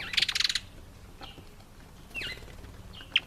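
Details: African green pigeon eating apple; a short burst of dense, rapid clicking notes, then a few brief descending whistles spaced about a second apart.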